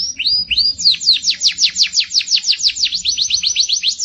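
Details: Masteran training recording of a white-eye: a fast, steady series of high, sharply down-slurred whistled notes, about two per second at first and then quickening into a rhythmic chattering run.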